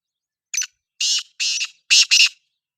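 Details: Black francolin (kala teetar) calling: a short sharp opening note, then two drawn-out harsh notes and a quick final double, all rough and grating, in a silent background.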